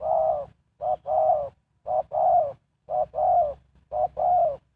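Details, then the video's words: Decoy spotted dove luring wild birds with four even repetitions of its two-part coo, a brief note then a longer mellow one, each pair roughly one second apart. "Sound Of Spotted Dove is so good"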